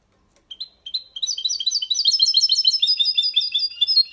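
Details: Goldfinch × canary hybrid singing a clean, error-free song in the Malaga copy style, used to stimulate females and teach young birds; a couple of short high notes open, then a fast dense run of sharp twittering trills.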